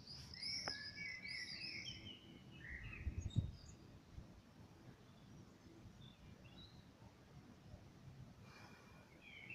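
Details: Common blackbird singing in the evening, an opening cluster of high whistled and gliding notes, then a few faint distant chirps and some low knocks amid steady background rumble.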